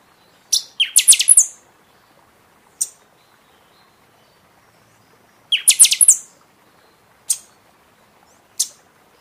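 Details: {'caption': 'High, explosive song of a buffy-fronted seedeater, played to rouse caged birds after the moult: two rapid ringing phrases of quick piercing notes, each followed by isolated sharp chips at intervals of a second or so.'}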